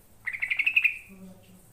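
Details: Trucukan, or yellow-vented bulbul, used to get birds to respond: a lively phrase of about eight quick gurgling notes that rises slightly, followed by a few soft low tones in the background.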